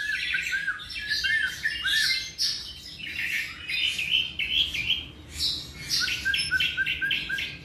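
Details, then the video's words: Tropical mockingbird about seven months old singing a varied run of chirps and whistled phrases, many short notes repeated in quick series, with rising sweeps and buzzy bursts; a steady low hum underneath. "Cenzontle tropical (mimus gilvus)"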